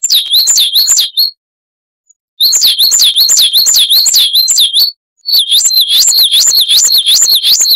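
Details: Coal tit (Periparus ater) giving its long 'wucit-wucit' song for training cage birds: high, rolling, repeated whistled couplets in three bouts, each pouring out rapidly, with short gaps and a clean background.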